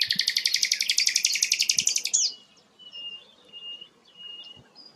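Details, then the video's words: Sikatan londo, a rare flycatcher, delivers a loud, fast, evenly pulsed high trill of about two seconds, then soft thin whistles. "burung langka sikatan londo"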